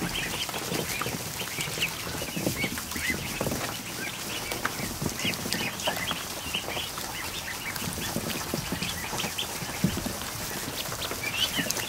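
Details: More than a hundred freshly hatched ducklings in a kiddie pool in a barn, afternoon; a dense, continuous chorus of overlapping high peeps blends with constant splashing water.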